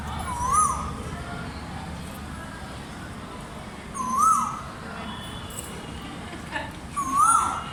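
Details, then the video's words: Asian koel calling three times, each a clear whistled note around one pitch that rises then dips, spaced about three seconds apart, over a steady low background hum with faint high hiss. "koyal bird 🐦 sweet voice"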